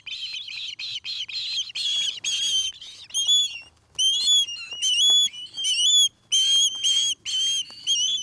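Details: Osprey calling at a new nest in Charlo, Montana: clusters of rapid high chirps give way to longer, upward-slurred whistled notes repeated roughly every half second.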